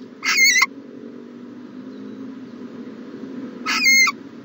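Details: Owl in a nest box on the morning of 14 January 2020: two short harsh screeches with a thin whistled tone inside, separated by about three seconds of quiet low hum.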